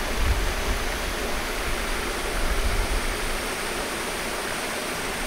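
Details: Continuous rushing water like a stream or waterfall fills the recording, with no animal sound.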